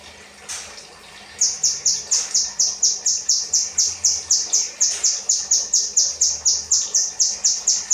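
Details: Kinoi 'rambatan' song for tutoring cage birds: after a second of near silence with a few faint clicks, a long, rapid, regular string of high, sharp chirps begins and continues steadily.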